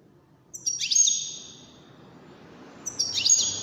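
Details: European goldfinch, one of five wild-caught birds in a song competition; two short bursts of high, bright twittering with a sweeping upward note, separated by a pause of about two seconds over faint low background noise.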